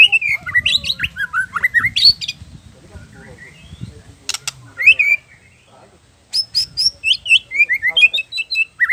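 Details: Oriental magpie-robin singing in gacor style full of isian (mimicked fill phrases), used to stir young and adult birds to sing: varied whistled and trilled phrases, a quiet stretch midway, then quick bright whistled notes returning, with low background rumble.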